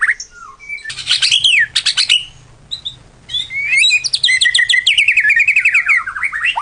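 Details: Lure song (pacingan) of the white-rumped shama: bursts of sharp buzzy trills broken by a brief pause, then a long stream of rapid, descending whistled notes and chirps. A faint low hum runs in the background.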